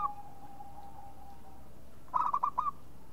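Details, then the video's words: A local perkutut, the zebra dove, delivers a single staccato phrase of four or five trilled coos after a long quiet stretch. "SUARA MEMANGG PERKUTUT LOKAL"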